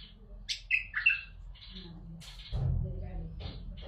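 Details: Bulbul song used to stir other bulbuls to sing: a short burst of sharp, sweet chirps and warbles, followed by a low rumble and fainter notes.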